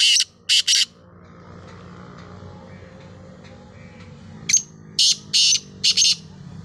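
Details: Black francolin (kala teetar) calling: two harsh, grating notes at the start, a pause filled by low background hum, then a quick run of five rasping, scratchy notes near the end.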